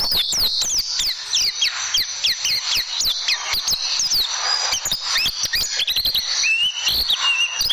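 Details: High-pitched oriental white-eye song meant for tutoring caged birds, 'tembakan' style: quick descending chirps fired in rapid series, a brief busy chatter, then a few rising thin whistles near the end.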